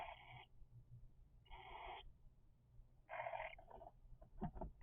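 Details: Three-week-old cockatiel chicks giving three harsh, raspy, hissing bursts of about half a second each, spaced roughly a second apart, followed by a few soft clicks and scuffling over a low steady hum.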